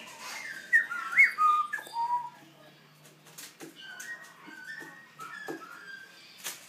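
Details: Young black throat practising its song: a cluster of clear slurred whistles and short warbled notes in the first two seconds, then fainter scattered whistled notes with soft clicks and knocks in a quiet room.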